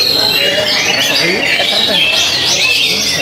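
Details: Oriental magpie-robin dueling a rival to make it stop singing: a short burst of intense, high-pitched whistling with quick slurred sweeps and buzzy chatter running continuously without pause.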